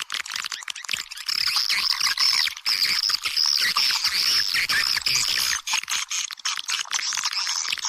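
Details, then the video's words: Swiftlet lure call played for swiftlet houses, a dense, continuous high chattering of many twittering, buzzy chirps with overlapping trills and a steady high whistle band. "Âm thanh nhà yến, tiếng gọi chim yến"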